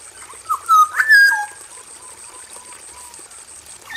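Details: Vocal male black-naped oriole in an aviary: a short burst of bright whistles around the one-second mark, then soft low descending whistles trailing off, over a continuous faint high hiss.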